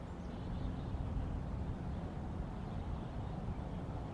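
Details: Steady low rumble, like distant traffic or wind, runs without a break and carries no animal call.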